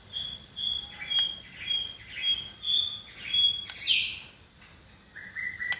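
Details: Caged white-rumped shama in its second season, hand-raised from a nestling and trained for singing competitions. A quiet series of high, clear whistled notes repeats about twice a second, ending in a short lower phrase.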